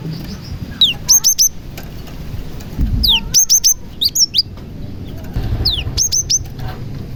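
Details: Cinereous tit song with prenjak (prinia) fill-ins, meant to draw other tits into singing: repeated phrases of falling whistled sweeps followed by three or four sharp, piercing high notes, recurring roughly every one and a half seconds over faint low noise.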